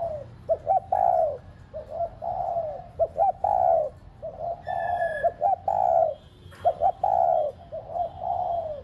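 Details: Decoy spotted dove calling to provoke kept doves into cooing. Repeated phrases of short rapid notes, each ending in a drawn-out, mellow, slightly descending coo. A faint thin high tone runs in the background.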